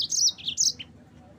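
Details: Short, high phrase of yellow-fronted canary song from a cagebird training recording, a few quick tumbling chirps that fall away into quiet.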